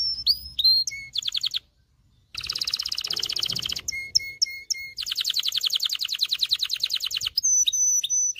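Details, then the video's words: Agitated canary singing to ready females for breeding and coach males: short whistled phrases, a brief silence, a dense rolling trill, repeated low whistles, then another long rapid trill and high whistled notes. "غناء طائر كناري لتدريب والتسميع ذكور الكناري على الغناء Canary singing"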